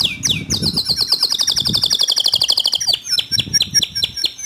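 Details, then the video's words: Canary song used as a master recording to spur other canaries into singing: sweeping whistled notes, then a long rapid trill of evenly repeated bright notes, ending in quick varied chirps, with faint low background noise. "Masteran Kicau Kenari Untuk Memancing Kenari Lain Agar Ikut Gacor Dor"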